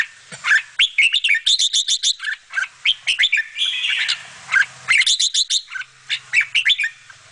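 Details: Young bulbuls being fed by the mother bird: fast, insistent series of sharp chirps, nearly continuous and repeated several times a second, over a steady hiss.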